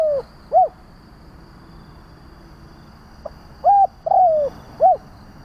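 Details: Spotted dove lure call used by trappers to provoke other doves: phrases of a short soft note, flat coo, long falling slurred coo and short arched coo, repeated with pauses; faint steady hum in background.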